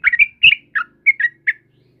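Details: Sooty-headed bulbul in the morning giving a brief burst of bright, slurred whistled notes, a handful in two seconds, with a faint low hum behind.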